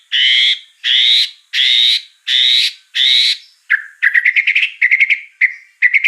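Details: Fill-in phrases from a white-rumped shama: five harsh, buzzy drawn-out notes evenly spaced, followed by quick clusters of short clicking chirps.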